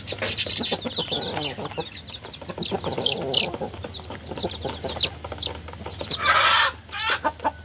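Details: Flock of baby chickens giving a continuous stream of piercing little peeps over pecking and scratching taps, then a short harsh burst of noise before the cheeping resumes.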